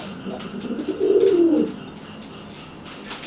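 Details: One throaty arched coo from a pigeon making itself bigger to threaten a freshly bathed, flightless pigeon, followed by quiet shuffling.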